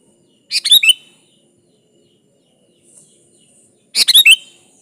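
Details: Chatty sooty-headed bulbul song meant to call a rival: two brisk, warbled phrases of several rich notes, separated by about three seconds of near silence.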